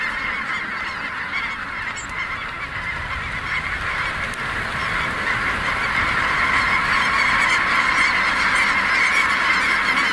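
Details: Snow geese taking flight at Merced NWF, an enormous flock whose overlapping honks build gradually into a louder, roaring chorus.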